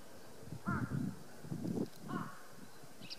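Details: Crow bothering a napping Ezo brown bear at Kushiro City Zoo on 6 March 2016: two harsh caws about a second and a half apart over a low rumbling background.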